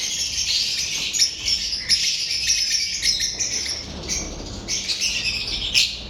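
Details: Lovebirds recorded on 7 March 2025, many birds keeping up a dense, shrill chattering of high chirps and squeaks that overlap continuously, with sharper accented notes standing out every second or so.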